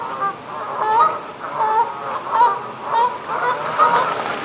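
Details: Honking Canada geese, calls given in defending territories and around flight: a run of nasal, slightly rising honks roughly every half second to second, several overlapping, with steady low hiss behind.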